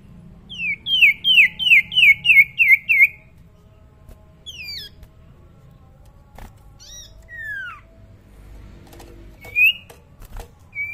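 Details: Tame young common iora, voice still soft: a fast run of seven ringing up-and-down whistled notes, then scattered single slurred whistles and a short rising note. Low hum and faint clicks sound in the background.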